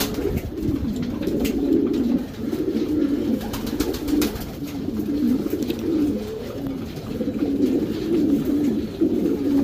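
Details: Racing Homer domestic pigeons in a loft's breeding section give low, throaty coos that swell and fade repeatedly, several birds overlapping, with faint clicks and rustling.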